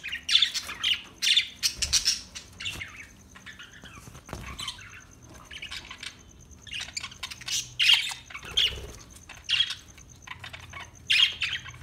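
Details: Budgerigars give scratchy squawks and warbled chirps in clustered bursts every second or two, with quieter gaps and a faint steady high tone in between.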